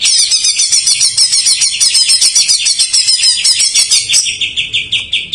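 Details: Greater green leafbird singing an isian song loaded with jamtrok phrases, used to prompt untrained or silent birds; a dense, shrill chatter of rapid high notes, about three per second, that drops to lower squeaky trills near the end.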